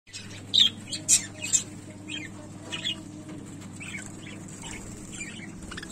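Budgerigars chirp and chatter in short, high, scratchy notes over a steady low hum.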